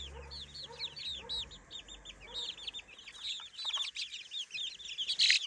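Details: A flock of three-week-old baby chickens exploring a new daytime playpen gives dense, overlapping high chirps with rising-falling arcs, then a brief louder burst of noise near the end.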